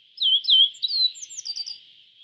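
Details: Yellow bunting, an East Asian songbird, giving a quick phrase of loud, downslurred high notes that fade into softer, rapid chirps, with a steady high hiss throughout.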